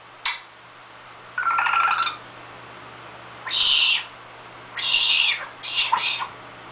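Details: Pet parrot that has learned to cough, giving four harsh, noisy cough-like bursts of about half a second each, spaced irregularly, indoors with a steady low hum behind.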